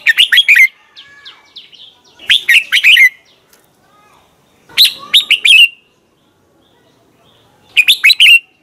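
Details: Red-whiskered bulbul singing in the morning, used as a decoy to train other bulbuls to sing: bursts of bright, fast, warbling whistled notes, four phrases about every two and a half seconds, with quiet gaps between.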